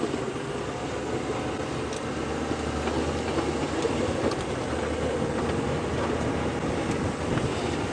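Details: Continuous broadband engine and vehicle noise throughout, with faint ticking and a low hum; no animal voice stands out.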